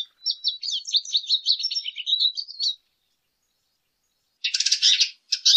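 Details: Lesser goldfinch singing a fast run of high twittering notes for nearly three seconds, then a pause before a dense buzzy burst and a last short phrase.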